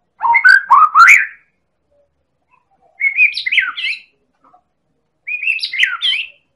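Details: Medan-strain White-rumped shama, a prolific champion singer, used to provoke other birds into song; one low, fluty whistled phrase followed by two higher, chattering warbled phrases, each about a second long.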